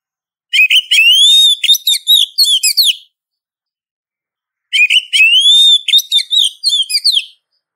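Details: Oriental magpie-robin, a female calling a male while in breeding condition, used to provoke males: two separate bursts of quick, jumbled whistles. Each burst is about two and a half seconds of varied chirps and slurred notes, with quiet between.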